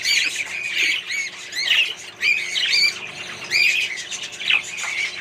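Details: A colony of budgerigars housed with other birds gives bursts of warbled, rising and falling chirps, loud phrases about once a second over a steady chatter.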